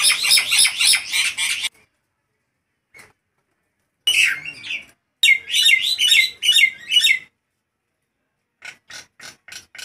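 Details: Nias hill myna calling loudly despite hot weather, giving harsh chattering phrases in bursts with brief pauses, rich in metallic squawks and whistles; later short clicks.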